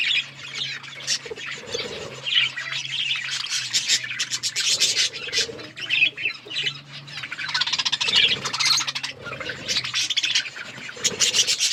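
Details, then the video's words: Budgies eating and playing, keeping up a steady stream of scratchy warbled chatter and sharp chirps, with a faint low hum throughout. "Birds eating food budgies chirping sounds and playing"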